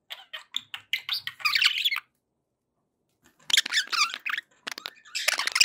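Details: Pet budgerigars sounding happy: fast squeaky chirps building into a loud scratchy warble, then over a second of silence before chattering resumes and swells again.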